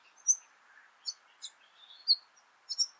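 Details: White-plumed Honeyeater fledglings, two of them, begging at Laratinga Wetlands, South Australia, 9 January 2021. A quick series of high, sharp squeaks repeats about every half second, with a soft, steady hiss underneath.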